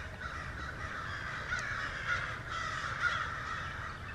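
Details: Several American crows (Corvus brachyrhynchos) on a Georgia farmstead caw harshly, overlapping calls swelling every second as they mob a great horned owl hidden in brush across a pond, swooping down into it; low wind rumble beneath.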